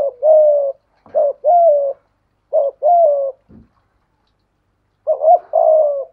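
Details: Decoy spotted dove giving 'gù' bowing coos while challenging a wild dove: paired hoarse coo notes, a short soft knock at about three and a half seconds, then silence before a final double coo.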